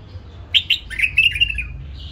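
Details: Captive-bred hybrid bulbul singing: a short burst of bright, chirpy whistled notes, quick sliding slurs that fall and then level out, over faint low background rumble.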